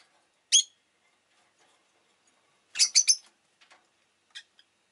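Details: Single harsh high chirp from a rosy-faced lovebird, followed two seconds later by a rapid burst of three raspy notes and a few fainter chips.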